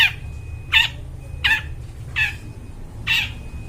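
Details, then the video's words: Long-tailed shrike singing actively with a clear, ringing voice, a recording meant to lure wild forest birds; five harsh, scratchy notes that dip downward, spaced about every three-quarters of a second, over a faint steady tone and low rumble. "cendet gacor, suara plong bening cocok buat pikat burung dihutan"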